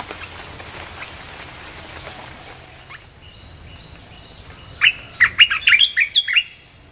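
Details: Red-whiskered bulbul song, played to lure wild birds: faint background chatter, then a loud, fast phrase of crisp whistled notes near the end.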